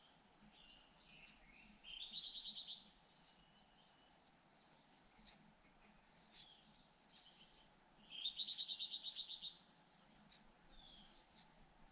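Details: Nest of two hungry white-eye young, fed alternately by both parents. Repeated sharp, high chirps are interrupted twice by short, fast buzzy trills, all against a low background hiss.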